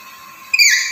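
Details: Brief loud squawk from a black-capped lory: a sudden harsh call with a whistled, slightly falling tone, after half a second of near silence.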